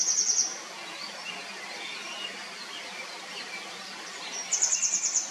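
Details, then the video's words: Grey wagtail uttering a rapid string of five thin, high, clipped notes, then quiet with constant rushing noise and faint distant chirps, and finally a second burst of about seven sharp notes. "노랑할미새 소리 Grey Wagtail"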